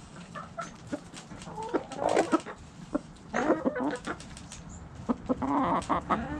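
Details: Backyard hens and roosters clucking loudly and often, short choppy nasal notes in uneven bursts, some running into rapid stuttered series, with sharp clicks between calls and low background hum.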